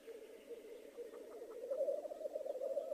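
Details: Black grouse lekking in spring in Läänemaa, Estonia, on 19 April 2011: a continuous low bubbling, cooing rookoo chorus, steady and rolling, growing slightly louder toward the end.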